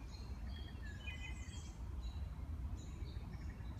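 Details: Wood thrush song: a few faint, clear whistled phrases with higher thin trilled notes in the first half, then quieter high notes, all over a steady low rumble of background noise.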